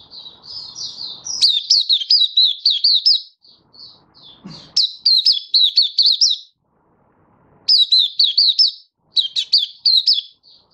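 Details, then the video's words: Caged Malaysian white-eye singing in Singapore, stable warm sunny weather, 20 March 2023: repeated phrases of thin, high, rapidly rising and falling notes, separated by short silences. "Malaysian Mata Puteh Happy Buka Sing"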